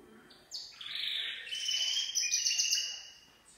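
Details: Gloster canary in full song: after a brief soft start, bright rapid trills and buzzy rolling phrases run high and continuously for about three seconds, then fade away.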